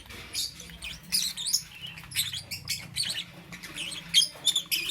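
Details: Morning chirping of lovebirds: dense, harsh high-pitched squeaks and twittering notes overlapping almost continuously, with a low steady hum underneath.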